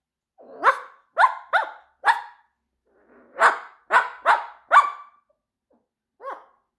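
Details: A Moluccan cockatoo mimics a dog, giving a run of harsh, dog-like barks in two quick bursts.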